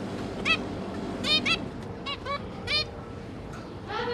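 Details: Zebra finch parents feeding three juvenile chicks: repeated short nasal honking beeps, single and in quick pairs, rich in harmonics, over a low constant hum.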